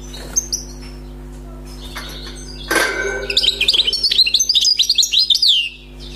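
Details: Newly caught wild European goldfinch singing, its song described as free of mistakes: a few faint notes, then a rapid run of high, liquid twittered notes lasting about three seconds, over a steady low hum.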